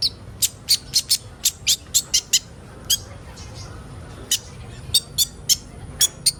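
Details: Kolibri ninja sunbird song meant to get young birds singing: a quick series of high sharp chips, a pause with near silence, then further spaced chips.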